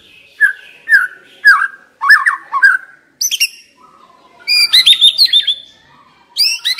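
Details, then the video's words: Decoy white-rumped shama singing varied whistled phrases, a series of short downslurred notes, then higher bright bursts and a rapid run of ringing notes separated by brief pauses. "Chòe lửa mồi hót cực hay"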